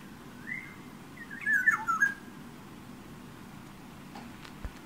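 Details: Yellow oriole singing just outside a room window, where it sometimes taps the glass; a brief rising whistle, then a tumbling phrase of fluty, warbled notes, followed by quiet room hum and a single knock.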